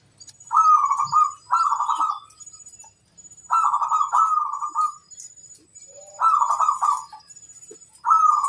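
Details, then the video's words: Zebra dove, a local bird, singing to challenge rivals: loud rolling cooing phrases repeated in pairs every few seconds, with faint high twittering birds and a thin ringing tone behind. "Suara burung perkutut bikin lawan emosi - koar koar nantang musuh"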